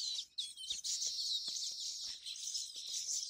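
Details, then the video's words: Baya weavers give a dense, continuous high-pitched chorus of buzzy, wheezy chirps, many birds calling at once with no pause, at a tree holding over 50 nests built in the monsoon season. "Baya weaver birds nest . Birds sounds rhythm"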